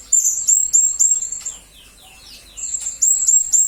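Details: Serindit, or blue-crowned hanging parrot, offered as master audio for murai and kacer training: a run of quick, high, sharply rising chirps, a pause of about a second, then another fast run.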